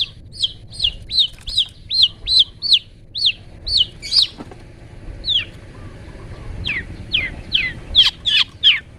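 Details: Long-tailed shrike in 'toet toet' song style, used as a master recording for training songbirds: a rapid series of clear downslurred whistled notes, about two or three per second, pausing briefly midway, then resuming with sharper notes.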